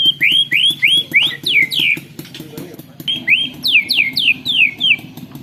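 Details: Singing white-rumped shama with canary-style fill, phone-recorded: a run of looping whistles that rise then drop sharply, repeated quickly in two bursts separated by a brief pause, over a steady low hum.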